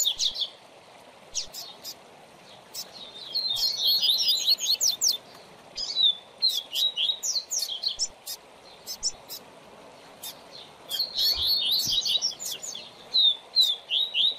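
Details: Double-collared seedeater, a coleiro used as a tutor for training young birds, singing bursts of rapid, high, twittering and slurred notes, each phrase a few seconds long, separated by short pauses; quiet background otherwise.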